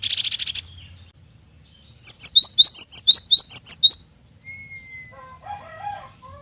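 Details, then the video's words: Cinereous tit singing a lively 'gacor' song: a fast run of about ten sharp, high, two-part whistled notes repeated quickly for two seconds, then a thin drawn-out whistle and softer scratchy notes. A brief buzzy burst opens the clip. "GELATIK BATU GACOR || the melodious sound of stone sparrows"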